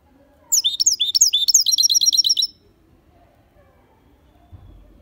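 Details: Goldfinch × canary hybrid singing cleanly: a two-second burst of high, sharp twittering notes that ends in a fast, even trill, followed by near silence with a faint low background hum.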